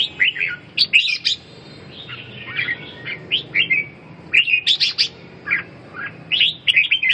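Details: Red-whiskered bulbul: bursts of bright, liquid whistled notes and quick chirps in short clusters, separated by brief pauses, over a faint low hum.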